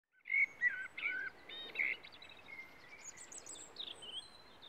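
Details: European robin singing in Pylaia: a quick burst of clear, whistled warbling phrases and short trills in the first two seconds, followed by thin, high sweeping notes fading over a steady background hiss.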